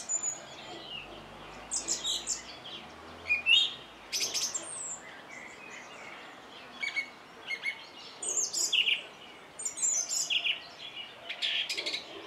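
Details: A song thrush sings a long run of varied high phrases: chirps, whistles and buzzy clusters, each separated by brief silences.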